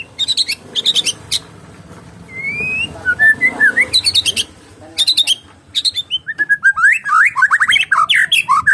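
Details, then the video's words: Murai batu Medan, a white-rumped shama, singing without a rival: harsh rattling bursts, then rising whistled slurs, then a fast run of varied warbled and whistled notes. "KICAUAN BURUNG MURAI BATU MEDAN TANPA LAWAN"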